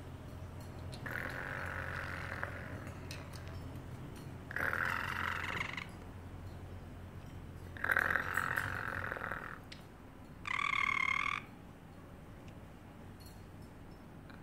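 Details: Parrotlet kept in a cage, meowing like a cat: four separate drawn-out, nasal meow-like calls spaced a few seconds apart, the last one higher and brighter, with soft clicks between and a low hum underneath.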